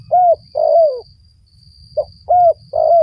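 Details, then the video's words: Spotted dove giving lure coos for trapping wild doves. Loud, rounded coos rise slightly and then fall, with a short clipped note between the longer ones, over faint low noise. "mikat burung tekukur"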